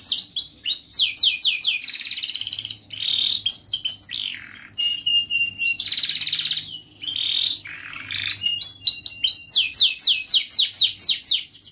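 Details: Energetic young canary singing as a tutor for baby canaries, with rapid descending slurred notes, buzzy warbled passages and bright trills of repeated sweeps, delivered loud and almost without pause.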